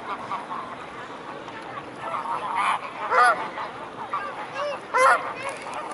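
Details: Mute swans gathered in a swarm at the Blaues Wunder, May 2016 evening: two brief nasal honks stand out of a busy, murmuring background with softer calls in between.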